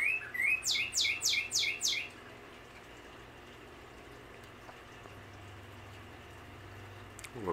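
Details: Male northern cardinal singing in a backyard: a quick series of about six clear upslurred whistles followed by sharp downward-sweeping notes, all within two seconds, then quiet background with a low steady hum.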